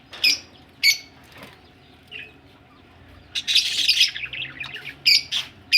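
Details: Short high chirps from budgies ready for laying eggs, then a rustling flurry of wingbeats and twitter lasting under a second, followed by more crisp chirps; faint low hum behind.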